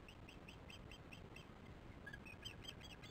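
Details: Osprey alarm calls at a nest during a troubled chick feeding, evening of 22 July 2015 at 19:08, before an adult flies out: short, sharp, whistled chirps repeated about three times per second over a steady hiss.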